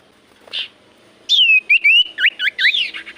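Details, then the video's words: Lure recording of a common iora meant to prompt other birds to sing back: a short faint note, then a long downslurred whistle followed by quick rising and falling whistled phrases. "Pancingan Burung sirtu cipoh gacor sekali putar Burung sirtu cipoh Diam Langsung nyaut"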